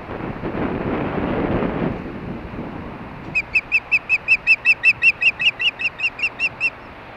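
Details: Evening at a Hellgate, Montana osprey nest around mating; after a stretch of low rumbling noise, a run of about twenty bright piping whistles follows, evenly repeated several times per second.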